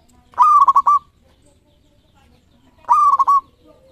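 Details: Local zebra dove with 13 tail feathers singing loudly and actively: two clear cooing phrases, each a level, ringing note breaking into three or four quick stuttered beats, about two and a half seconds apart in a quiet setting.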